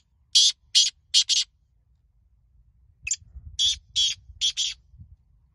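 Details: Black francolin (kala teetar) calling in a teetar contest, with spectators commenting; four harsh rasping notes, a two-second pause, then a sharp click and five more grating notes, with a low background rumble.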